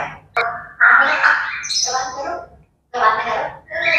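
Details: Female pet parrot, described as a chatterbox, talking in a speech-like voice with rich, harsh harmonic syllables that rise and fall in short phrases. A brief pause comes midway, then a new burst of chatter follows. A person's greeting precedes it.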